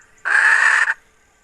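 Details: A single drawn-out, harsh, nasal squawk lasting under a second, from a hen recorded in 2021, with silence before and after.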